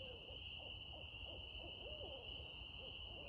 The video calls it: Barred owl sounds